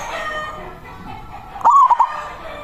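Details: Local zebra dove, big-voiced, calling out to a rival as a lure for trapping doves: after a stretch of hissing background, one short cooed phrase of broken, stuttering notes near the end.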